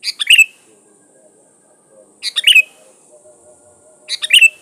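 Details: Sooty-headed bulbul singing energetically, used as a lure call to challenge a rival. Three short bubbly, chattering phrases come roughly every two seconds, with a faint low hum between them.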